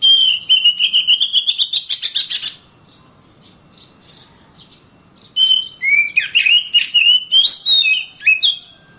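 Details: Oriental magpie-robin in continuous song, a caged bird used to train others to sing and fight: a long rapid rattle of repeated notes, a quiet stretch, then varied rising whistles and quick chatter.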